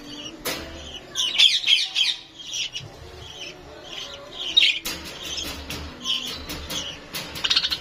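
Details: Lovebirds in Lahore chirping in shrill, high squawks and tweets, packed into busy overlapping bursts with brief pauses near the start and midway; a soft low hum runs underneath.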